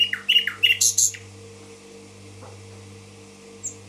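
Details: Common nightingale in Tashkent singing a short burst of high chirps and sweeping notes in the first second, followed by near silence over a steady low electrical hum.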